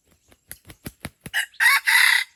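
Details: Red junglefowl crowing at Pasir Putih, Krueng Raya, during bird luring: a run of short, soft clucks builds into a loud, harsh, two-part crow that ends abruptly, over a quiet background.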